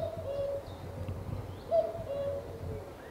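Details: Common cuckoo on Cannock Chase giving a pair of mellow falling two-note calls, partly masked by constant low rumbling background noise and faint high bird chirps.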